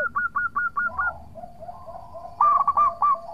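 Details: Lively local zebra dove singing as a lure to provoke rival birds: six evenly spaced clipped coos, a softer wavering murmur, then a louder burst of quick stuttering notes.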